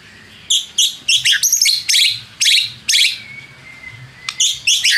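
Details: White-rumped shama singing as a lure to rouse rivals: short, harsh, buzzy bursts separated by brief gaps, a thin steady whistle running underneath, and one fast down-slurred note.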